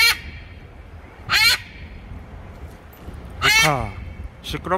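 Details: A pet blue-and-yellow macaw teasing its owner gives two loud, grating squawks about two seconds apart, with a shorter call starting at the end. A person's voice is heard nearby.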